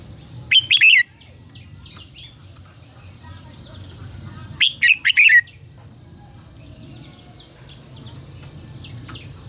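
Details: Red-whiskered bulbul song used as a decoy sound: two loud, chattering warbled phrases about four seconds apart, with scattered faint chirps and a low background rumble.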